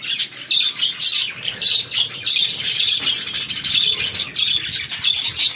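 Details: Chicken chicks feeding: a dense, continuous chorus of shrill, overlapping peeps from many chicks at once, high and steady, with short bright chirps repeating rapidly throughout and no other clear sounds.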